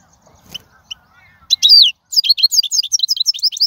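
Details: Wild European goldfinch song in khalwi style, recorded for teaching young birds and prompting goldfinches to sing: a few soft scattered notes, then from mid-clip a loud burst of rapid, high, tinkling twitters with one buzzy slurred note, followed by a quick chirp series.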